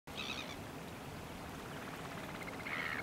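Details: A leucistic variable oystercatcher at Duder's Beach, Clevedon, New Zealand, on 23 October 2020 gives two short, shrill piping calls, one at the start and one at the end, over steady rushing wind and surf.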